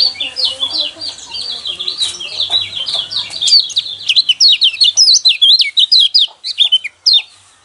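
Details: Yellow white-eye song used to provoke caged birds into singing: a rapid, high, twittering stream of sharp up-and-down notes that grows louder and more clipped toward the end, with a low hum in the background.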